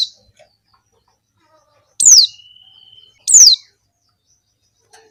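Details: Female Javan white-eye calls meant to lure males: bright, sharply descending notes about a second apart, one trailed by a long thin flat whistle, the rest silence.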